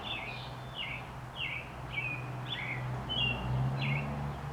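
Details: American Robins singing on 28 April 2019, with a dog also barking: short, clear, slurred whistled phrases, about two per second, each dipping downward, over a steady low rumble.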